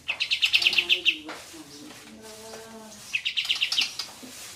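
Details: Sooty-headed bulbul, called kapas tembak, in a clear master recording of its rapid rolling 'ngeroll tembak' song: two bursts of quick, evenly repeated bright chirps, separated by a quieter stretch of softer low tones and trickling water.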